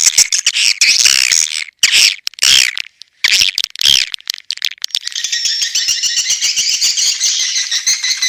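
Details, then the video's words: Swiftlet calling from the Elang Borneo lure recording, used to attract swiftlets: harsh chirping bursts broken by short gaps, then a steady, dense, rattling chatter for the last few seconds. "SUARA PANGGIL BURUNG WALET ASLI DARI ALAM"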